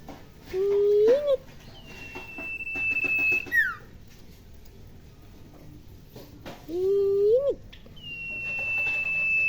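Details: Tame Sirpu bird at home, which gives shrill calls near people. A long, high, level whistled note alternates with lower, wavering notes that rise at the end, the pattern repeating twice in a quiet room.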